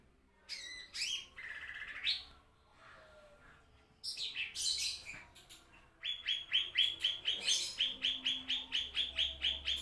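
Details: Lesser green leafbird song used for tutoring caged birds: opening loud mixed whistles and chatter, a brief lull, then a long fast train of identical sharp whistled notes, roughly two per second, rising in intensity.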